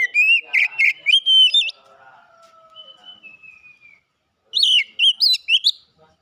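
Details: White-rumped shama that won first place in a singing competition: loud, rich whistled phrases with quick upward flicks, a pause with long thin descending whistles, then another burst of varied whistled notes.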